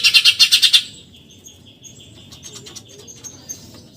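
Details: Eurasian tree sparrow giving a masteran-style 'tembakan nyerecet' chatter: one brief burst of fast harsh, buzzy chirps lasting under a second, then only faint scattered high chirps against a quiet background.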